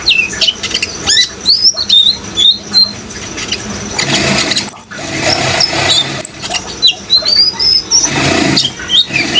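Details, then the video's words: Sunbird (kolibri ninja) in full song, used as training playback for young and green birds: bright high whistled chirps and quick upslurred notes in short bursts, over steady rushing water. "suara kolibri ninja gacor"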